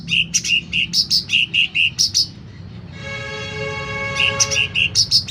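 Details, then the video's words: Sooty-headed bulbul singing vigorously: rapid chains of crisp, bouncy chirps, broken midway by a steady, ringing, buzzy tone before the chirping resumes. "Suara Cucak Ranting Gacor Volume Keras"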